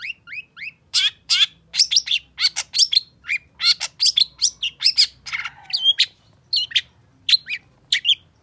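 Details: Excited long-tailed shrike song: a lively mix of upslurred whistles, harsh rasping bursts and sharp chips in quick succession, each note different from the last.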